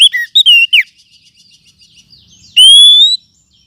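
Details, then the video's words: Wild forest oriental magpie-robin lure sound, used to tutor other birds: loud clear whistled notes, first a falling slurred pair, then a pause before one long rising-then-level whistle near the end. "Kumpulan Suara Pikat Burung Kacer Hutan 2024 ‼️Cocok Untuk Masteran"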